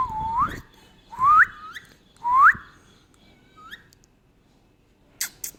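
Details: Indian ringneck parrot giving three loud rising whistled notes about a second apart, each sweeping upward and ending in a short higher note, then a fainter fourth whistle and a few sharp clicks near the end over low background noise.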